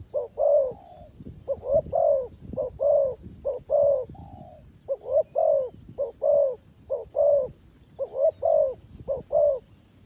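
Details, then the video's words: Spotted dove used as a lure for trapping birds: soft, mellow coos repeated in quick paired and triple phrases, about a dozen notes in steady rhythm with brief pauses between groups, over a quiet background. "The Sound Of Spotted Dove is so good"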